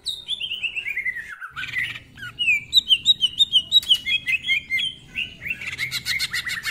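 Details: Greater green leafbird opening with a descending series of clear whistles, then rapid repeated chirps at about three per second and a final buzzy trill; rough-voiced full-isian song.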